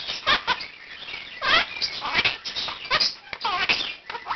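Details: One-year-old male Quaker parakeet giving his 7 am wake-up call indoors, practising learned words and phrases while other birds in the room join in; harsh, scratchy squawks and chattering bursts come irregularly, with short gaps between.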